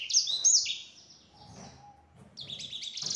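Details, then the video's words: Sanger, the yellow-fronted canary, gives bursts of high, quick sliding notes in a lure song to draw replies from other canaries, broken by a quiet pause with a faint steady tone and low hum. "Suara Burung Sanger Ampuh Untuk Pancingan, Bikin Sanger Lain Nyaut."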